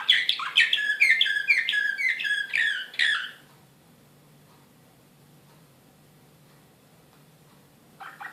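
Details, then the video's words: Excited Serbian Slavujar canary from Belgrade, 2016: three seconds of loud, dense, fast-trilled song, then near silence, with a short chirp returning at the end. "كناري هائج"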